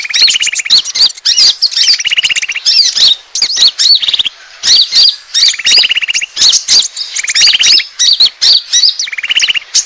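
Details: Bird lure of the Asian glossy starling: roughly five buzzy rattling trills across ten seconds, each followed by bright, squeaky whistled notes and chips in a looping chatter.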